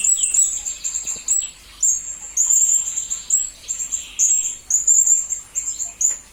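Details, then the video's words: Serindit, the blue-crowned hanging parrot, in a master recording meant for tutoring magpie-robins and green leafbirds. Piercing high-pitched chatter in bursts of rapid squeaky notes, with a brief lower buzzy phrase early on. "Serindit Masteran Berkualitas Untuk Burung murai dan kacer ijo"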